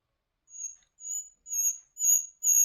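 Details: High, pure, drawn-out whistled notes from a nightingale, repeated about twice a second and growing steadily louder.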